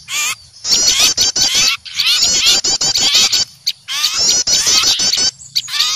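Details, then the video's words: Noisy flock of small birds scolding in fright at an owl, giving fast, shrill, wavering chatter in clustered bursts separated by brief silent gaps. "Suara pikat burung kecil ribut takut melihat burung hantu"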